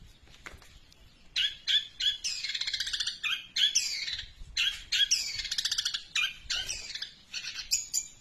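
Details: Long-tailed shrike in a super-long run of house sparrow mimicry: dense, rapid chattering chirps and buzzy trills, high-pitched and nearly continuous for several seconds after a brief quiet start.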